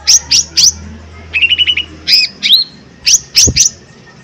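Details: Lesser green leafbird lure song for stirring other birds: sharp high chirps in threes, a short run of lower chattering notes, then more slurred whistles.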